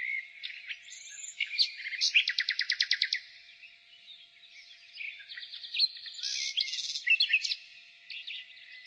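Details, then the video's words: Nightingale in spring delivering a rapid rattling trill of about a dozen buzzy notes, then quieter pauses and a second cluster of chirps and short trills against a faint bird chorus. "Nightingale singing"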